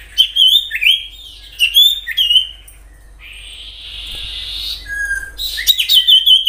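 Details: Natural common iora song meant to draw other ioras into singing: clusters of fast whistled slurs, a long buzzy note, then another burst of rapid high whistles.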